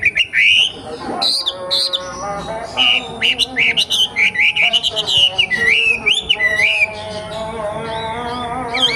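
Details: Forest-dwelling young wambi singing a busy run of loud, rising and falling whistled phrases with quick twittering notes. A faint steady background tone is present throughout.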